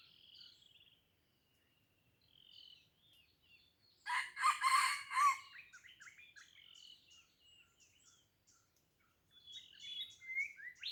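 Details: Old red junglefowl of fighting stock from Blang Ulam, Krueng Raya, Aceh, giving a single short, harsh, broad crow lasting about a second midway, while small songbirds keep up thin high chirps and trills before and after.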